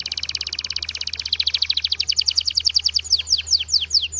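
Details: Canary song made of a long, fast trill of sharp high notes; the notes become louder and more widely spaced after about one second, and the later ones turn into steep, sweeping downward slurs. A steady low hum runs underneath.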